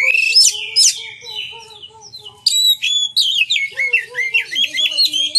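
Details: Oriental magpie-robin singing to draw other magpie-robins into song and display: two loud, falling whistled phrases, a lull, then a lively run of clear whistles and twittering notes with sliding lower tones.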